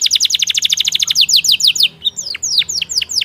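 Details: Atlantic canary singing loudly: a fast trill of evenly repeated sharp notes, about a dozen per second, slowing into a series of clear downward-sweeping whistles with a faint low background hum.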